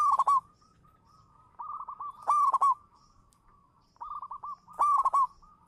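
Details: A local zebra dove sings as a lure bird, three phrases about two seconds apart, each a stuttering rush of sharp clicky notes merged with mellow mid-pitched coos, joined by a quieter continuous cooing trill.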